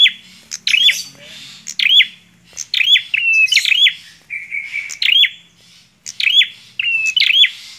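A Bar-winged Prinia sings loud, high, sharp notes with steady whistled tones, repeated in quick bursts about every second; faint low hum underneath.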